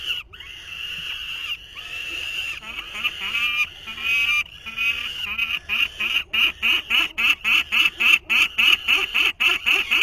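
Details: Nestling peregrine falcon at a 2023 nest, imitating its father's call for the first time after first hearing it a few days before: harsh drawn-out cries at first, then rapid grating notes repeated about four times a second.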